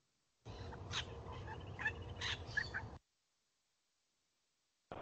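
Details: Regent Honeyeater from the coast whose song sounds like a Little Wattlebird, played back: a harsh, gobbling run of raspy and clicking notes lasting about two and a half seconds, then silence.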